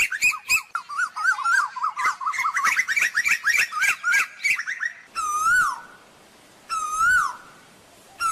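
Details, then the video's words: Asian koel calling the flock: a fast, bubbling chatter of rippling notes for about five seconds, followed by two loud, clear calls that rise then fall, spaced well apart. "Tiếng chim Tu Hú gọi bầy"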